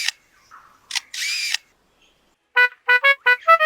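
Lyrebird mimicking man-made sounds: dry clicks and a hissing burst like a camera shutter, then five short, nasal, horn-like honks in quick succession.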